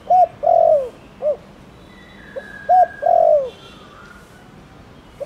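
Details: Spotted dove cooing in Thổ Đồng style, meant to prompt other doves to answer. Two phrases, each a quick low note then a long drawn coo falling at the end, with a faint thin whistle in the background.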